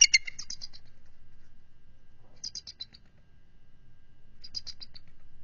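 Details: Bald eagle giving short bursts of high, thin chittering while the nesting pair stays on high alert against an intruding adult eagle, February 2023. Three separate bursts about two seconds apart, with quiet background between.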